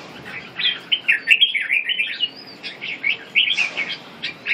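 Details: Red-whiskered bulbul giving a lively run of sharp chirping notes, jumbled bubbly phrases with short pauses and a faint higher whistle in the background.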